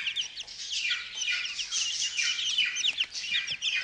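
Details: Chicks at day 14, let out while their brooder is cleaned and fed mealworms; steady flock of shrill, downward-slurred peeps overlapping without pause.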